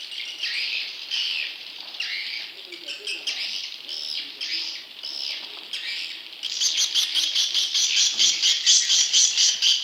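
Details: Young swiftlet calls for luring wild birds: separate buzzy high chirps about every second, then a fast run of sharp ticking pulses near the end.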